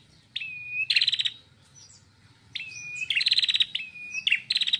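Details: Female red-headed prinia singing loudly and freely: a level whistled note followed by a rapid, loud buzzy trill, the phrase given twice, with faint higher chips between.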